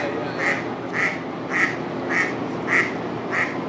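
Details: A mallard hen at Botany Pond, University of Chicago, on 8 March 2020, as mallards return to the pond, gives six harsh, nasal quacks at about two a second, over a constant background hiss.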